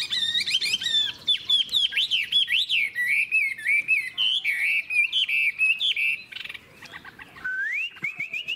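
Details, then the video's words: Old wild-caught Chinese hwamei singing in a cage, a fast flowing stream of looping, swooping whistles with bursts of chatter, then a rising whistle held into steady notes. "Họa mi già rừng hót hay"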